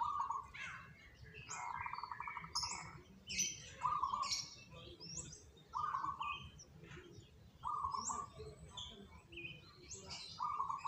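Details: Zebra doves, one of three birds chosen as the most diligent performers, give pulsed, purring coos near one pitch, repeated about every one to two seconds, over busy high chirps and twitters from other birds and a low background hum.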